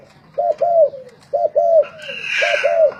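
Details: Decoy spotted dove singing in a cooing contest: three soft two-part coo phrases, each a short note then a longer falling one, with a brief rougher call from another bird overlapping near the end.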